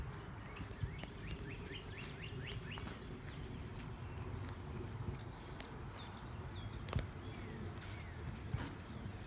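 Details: Northern Cardinal in a backyard in Pittsburgh, Pennsylvania: a quick run of about eight clear, downslurred whistles in the first three seconds, faint over low rumble, footsteps and a few other distant birds.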